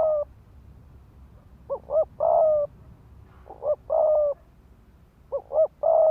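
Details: Spotted dove decoy bird giving the rapid 'thúc gù' cooing used to provoke males to fight. Three phrases, each two short quick coos and then a longer, steadier coo, repeated about every two seconds over a faint low rumble.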